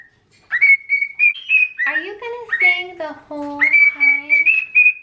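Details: A pet cockatiel, described as very vocal today, whistles a run of clear, high, sustained notes with slight rising bends. Lower, buzzier phrases break in midway before the bright whistling resumes.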